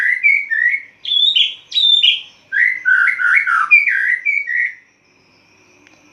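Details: Caged white-rumped shama singing at dawn in the loud ngeplong style as its cage cover is opened and closed: clear whistled phrases, rising and falling, delivered in quick bursts separated by brief pauses, ending in silence.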